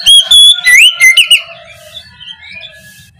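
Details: Oriental magpie-robin singing in the morning, a lure to spark reluctant birds: a handful of loud pure whistles and rising slurs, then a faint rambling warble.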